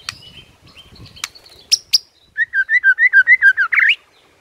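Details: Morning song of a white-rumped shama provoking rivals: a few sharp clicks and faint notes, then a quick evenly spaced run of about ten wavering whistles ending in a buzzy flourish.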